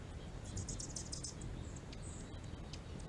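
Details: A hummingbird in California gives a quick run of very high, thin chips, then a few squeaky notes, over a steady low rumble.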